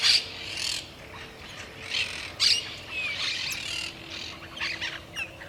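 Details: Grayish Baywing in the Argentine littoral region giving bright, chattering notes in short bursts every second or two, with other birds calling faintly and a low steady hum behind.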